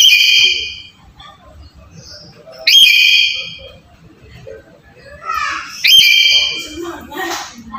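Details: Black-capped lory calling, a lure recording meant to get a quiet bird calling: three strident harmonic screeches a few seconds apart, mixed with quieter chatter and squeaky twittering notes.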